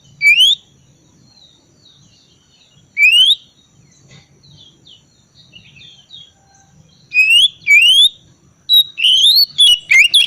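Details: Oriental magpie-robin lure song in the ngriwik style, meant to prompt quiet birds to start singing: bright rising whistled phrases with sharp upswept notes, in bursts near the start, after three seconds and in a dense run from seven seconds, over faint low rumble.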